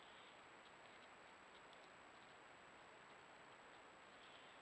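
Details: Very faint, steady hiss with light ticking and a constant high electronic whine, with no animal calls heard.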